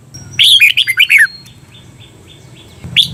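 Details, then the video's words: Training recording of a caged red-whiskered bulbul singing the doubled "bernl" phrase: one loud burst of about six quick, downward-slurred warbling notes, then faint distant bird calls and a low background hum. "เสียงฝึกเบิ้ล นกกรงหัวจุก เปิดสอนเบิ้ลยาวๆ เบิ้ลได้แน่นอน"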